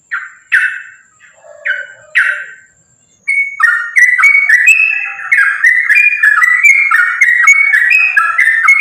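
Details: Sooty-headed bulbul in full, energetic fighting song, a continuous rapid chatter used as a lure to make other bulbuls sing: a few short rasping phrases, a pause, then a dense run of bubbly whistled notes around mid pitch.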